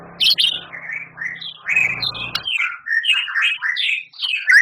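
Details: Champion White-rumped shama pouring out a varied, busy phrase of slurred whistles and chirps, rising and falling without pause, over a faint low hum.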